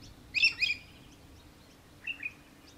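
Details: Australian hobby, also known as little falcon, in Victoria, Australia, December 2023, giving a loud, quick cluster of sharp, high chittering notes, then a softer pair of similar notes after a pause, with quiet bird chatter far behind.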